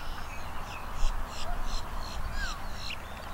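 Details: Close-range long-billed dowitchers at the Celery Fields, Sarasota, Florida: a series of short, high, clipped notes, with a single down-slurred whistle partway through and low steady background rumble.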